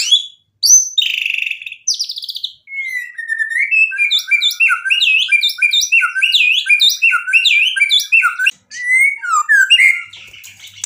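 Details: White-rumped shama in energetic song with mimicked phrases; sharp high whistles followed by a long, fast run of varied rising and falling whistled notes.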